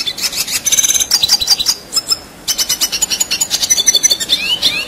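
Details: Red siskin singing in 'ngerol' style, a fast rolling flow of high, buzzy twitters and trills, nearly unbroken apart from a short pause in the middle. Kept as training material for contest songbirds.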